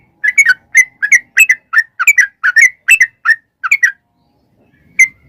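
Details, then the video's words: Yellow-vented bulbul giving a lure song in the long 'ngalas ropel' style. Around a dozen bubbly, slightly whistled notes pour out in under four seconds, then a silence before one last note. "trucukan gacor NGALAS ROPEL PANJANG pancingan trucukan agar bunyi"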